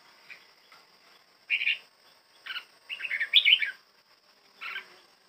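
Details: Kept red-whiskered bulbul in song training; short bursts of bright chirpy, warbled notes come in four spaced groups, the third a quick run of several linked phrases, over a quiet background with a faint steady hum.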